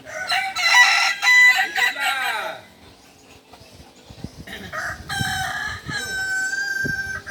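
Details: A Kukuak Balenggek rooster at a group practice session in Ampang Kualo, Kota Solok, gives a strong crow lasting over two seconds with a falling tail; after a short lull with low thumps, a second bright, steady crow starts.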